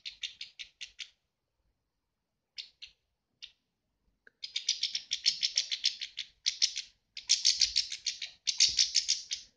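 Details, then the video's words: A super-tame pet European goldfinch, angry at being disturbed while feeding, gives harsh, scratchy chattering bursts, about three a second, in short runs and then longer angry volleys, over faint low handling noises. "Goldfinch is ANGRY!"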